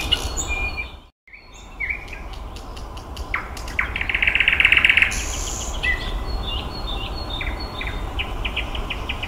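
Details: Nightingale in May song: varied high whistles and clicks, a brief pause, then a loud buzzy trilled burst followed by sharp repeated chips, over a constant low background rumble.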